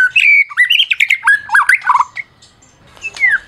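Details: Medan white-rumped shama, prize-winning, singing to stir other shamas into song: tumbling whistled phrases jumping between pitches with raspy chips, then a pause and a few downslurred whistles.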